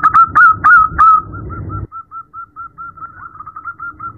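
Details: Female zebra dove at night calling a male: loud stuttering coos open the series, then soft short notes repeat quickly and evenly at one pitch.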